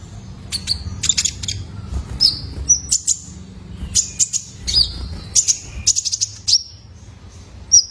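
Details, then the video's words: Brown-throated Sunbird, juvenile male, recorded to coax cage birds into song: repeated clusters of sharp high chips, each often ending in a brief thin whistle, spread over several seconds with short pauses. "PANCINGAN KONIN BAHAN IKUT GACOR !! COCOK BUAT TERAPI KOLIBRI NINJA - SUARA ANAKAN JANTAN!!"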